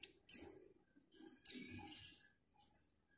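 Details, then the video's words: Female white-eye calling a male, giving a quick series of high chirps and thin buzzy notes, some loud and some faint, over quiet rustling. "TERIAKAN PLECI BETINA MEMANGGIL JANTAN"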